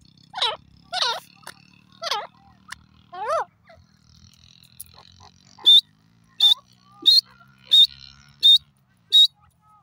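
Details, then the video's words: Grey francolin, locally called teetar, calling: several harsh down-slurred notes, then a steady run of sharp, high, clipped notes roughly every two thirds of a second, with faint background hum. "grey francolin sound"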